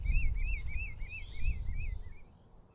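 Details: A common redshank (Tringa totanus) on the Hollandse IJssel near Nieuwerkerk aan den IJssel, Netherlands, gives a fast series of about eight clear, slightly arched piping notes that fade, over a heavy low rumble of wind or distant traffic.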